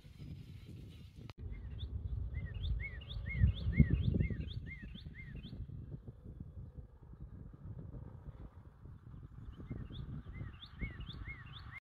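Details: An expecting female bluebird peering out of her nest box on a near 90-degree April day gives a quick series of short, soft, up-and-down notes, a burst of about eight then a few more, over low wind rumble.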